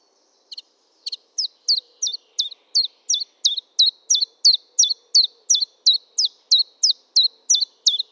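Common chiffchaff singing a steady string of sharp, high notes, about three per second, in a monotonous chiff-chaff rhythm with no other sounds.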